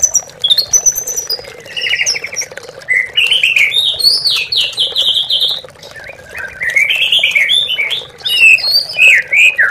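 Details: White-rumped shama singing in a lure recording to provoke caged birds as a rival: high, buzzy trilled phrases and bright whistles in bursts, a short pause, continuing over steady trickling water.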